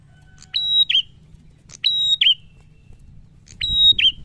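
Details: Prinia singing loudly in a challenging style: three repeated phrases, each a sharp click, a steady high whistle, then a quick downward twist, spaced about 1.3 seconds apart over a low background hum.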